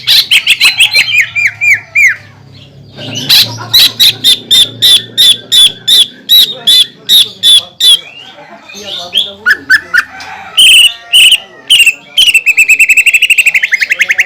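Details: Greater green leafbird in full song, used as a lure to rouse other leafbirds into singing: fast bursts of sharp, clipped notes, then a long series of evenly spaced chirps and a trilling, rattling run near the end.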